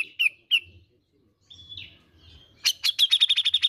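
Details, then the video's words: Grey-cheeked bulbul (cucak jenggot) sound to stimulate green leafbird song: three sharp chirps, soft whistled slurs, then a fast accelerating rattle of bright notes. "Pancingan Bunyi Cucak Jenggot bahan agar rajin bunyi"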